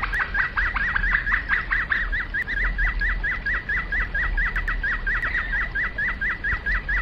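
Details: Domestic canary flute-style song: a long train of short downward-slurred notes repeated steadily about twice a second, clear and even over faint background hum.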